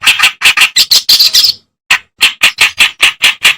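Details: Reed warbler master song for teaching songbirds: coarse, buzzy notes tumble quickly into a brief scratchy trill, pause, then restart as a regular series of rasping chirps.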